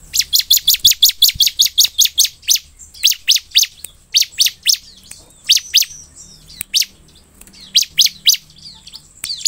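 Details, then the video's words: Bar-winged prinia (ciblek) sings a fast run of sharp, high chirps, about six a second, then shorter bursts with brief pauses between them; played to provoke other prinias to respond. "cukup putar suara ciblek gacor ini ciblekmu akan cepat merespon penuh emosi"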